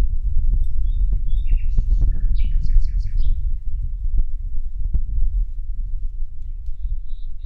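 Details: Common nightingale in full song, a varied burst of sharp chips, slurred whistles and quick rattling notes, over heavy low thumping and rumbling noise.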